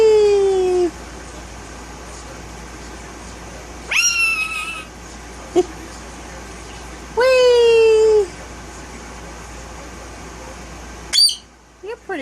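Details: Pet male violet Indian ringneck parakeet, one year old and tail-less, known for talking, gives three drawn-out, strongly harmonic squawking whistles spaced a few seconds apart, over a low steady household hum with a woman's voice nearby.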